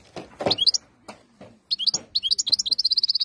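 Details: European goldfinch in Algeria, 2022, giving scattered high twitters that turn into a fast, even series of liquid repeated notes, with some knocking or clicking noises early on.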